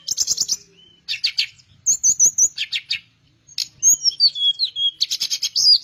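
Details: A Teledekan Melayu flycatcher, a popular songbird among hobbyists, sings with gusto. Dense buzzy trilled bursts alternate with a flat high whistle and a twisting sequence of slurred notes, ending in another rapid buzzy trill.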